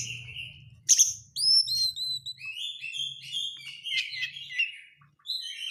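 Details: Lure recording of an Oriental magpie-robin, dense crecetan meant to provoke singing: a scratchy burst, then quickly repeated short whistled and buzzy notes at varied pitches, with a faint low hum early on.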